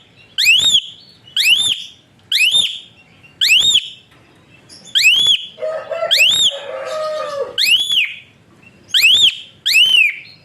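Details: Asian pied starling whistling, a sound offered for training other birds and prompting idle ones to sing: clear rising whistles repeated about every second for ten seconds, with a brief scratchy chatter midway.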